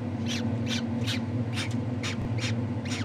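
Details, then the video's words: Captive gyrfalcon hybrid at a falcon breeding facility giving a series of harsh, rasping calls about every 0.4 seconds over a steady low mechanical hum. "Gerfalken Hybrid"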